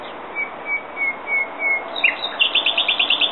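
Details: Common nightingale phrase: a series of drawn-out whistled notes growing louder, a quick upward flick, then a rapid, even trill of sharp repeated notes.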